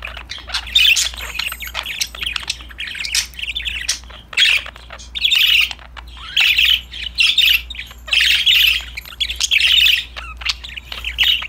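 Budgerigars chatter busily, with bursts of warbled chirps and scratchy squawks coming in clusters every second or two, several birds overlapping; a low steady hum runs underneath.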